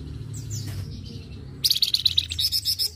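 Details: Flamboyan in lively song, recorded as master audio for tutoring other birds: soft high slurred notes, then a loud fast series of sharp chirps repeated several times a second against low background rumble.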